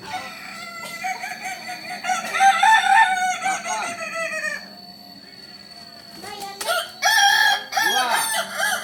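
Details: Solok's Kukuak Balenggek chicken crowing in a long string of rapid, stuttering syllables, then a short lull, then a fresh burst of loud, choppy crowing notes.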